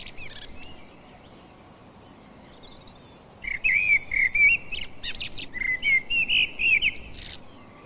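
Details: A common blackbird (Turdus merula) in a British garden sings mellow, flute-like warbling phrases. Each ends in a thin, squeaky twitter, and the phrases run together after a brief high chirp and a quiet pause.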